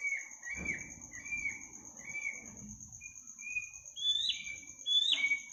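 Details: Midnight birdsong: a series of short downslurred whistles repeated about once a second, then two louder sharp rising-falling notes, against a continuous high insect whine.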